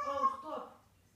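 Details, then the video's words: Pet grey parrot from Gabon saying the French phrase "ferme ta gueule" at a cat; a short, voice-like harmonic phrase that slides downward and fades within a second, indoors and quiet. "perroquet qui dit ferme ta gueule"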